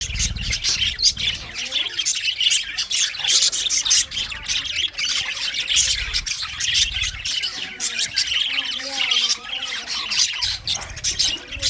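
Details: English budgies singing and chirping: a dense, continuous warbling chatter of high, scratchy chirps and short squawks, overlapping without pause, with occasional low rumbling thumps underneath.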